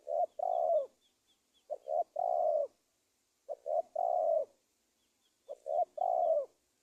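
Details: Lure call of a spotted dove played to entice wild forest doves into a trap; short paired coos followed by one longer drawn-out coo, the phrase repeating roughly every one and a half seconds, with light high chirping of another bird behind.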